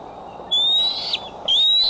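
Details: Two shrill whistled calls from a bald eagle at the Decorah nest, recorded by nest camera on July 6, 2011, in the afternoon or evening. Each call slides slightly upward and ends abruptly.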